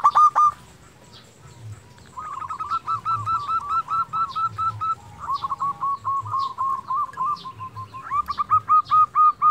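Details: Zebra dove, a local bird kept as a singing lure for quiet doves: one loud note, then a pause, then three series of fast, repeated staccato coos at steady pitch over low background noise.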